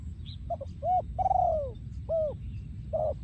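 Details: Spotted dove breeding male from 2023 delivering the โยนคูอ่าง song. Short double coos precede a long, falling, slurred coo, followed by hooked coos. A steady low background rumble is heard.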